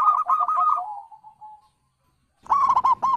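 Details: Zebra dove (perkutut) from the wild, calling to draw replies: a rapid string of coos sliding into soft, fading notes, a short silence, then a sharper clipped phrase of rolling coos.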